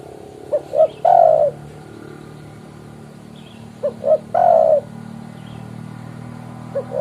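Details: Calling spotted dove summoning a rival, suited to lure trapping: a three-part phrase of two short coos and one long falling coo, repeated twice about three seconds apart, with a low steady hum beneath.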